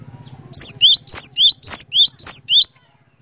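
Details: Cinereous tit (glatik batu) in constant song, played to get other cinereous tits singing: a rapid string of about nine high whistled notes, paired rising and falling slides repeated evenly, over a soft humming background.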